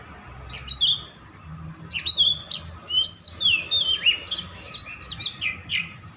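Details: Oriental magpie-robin in agitated song, meant to provoke others of its kind to sing: clear slurred whistles and quick downward notes in varied short phrases, over a steady low rumbling background.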